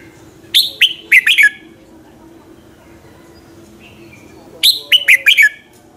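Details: Morning song of a red-whiskered bulbul, used as a lure for other birds: two phrases of five ringing whistled notes, each note sliding downward, spaced about four seconds apart against a quiet hum.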